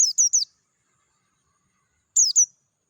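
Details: Wild Oriental white-eye, dakun type, in natural surroundings: a rapid trio of sharp, high, downward-sweeping chirps, a pause, then a two-note reply, clear and free of other noise.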